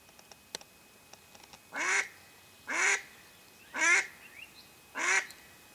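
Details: Mallard hen serving as a hunting lure for wild ducks, calling four raspy quacks roughly one second apart, preceded by several sharp clicks and knocks.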